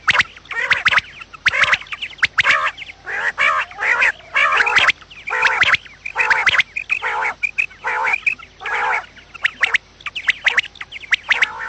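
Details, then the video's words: Morning quail calls meant to draw quails to traps: a dense, busy run of nasal, buzzy bursts and sharp high clicks, repeated about once a second from several overlapping birds. "batair Subha ki awaz | quail sound effect"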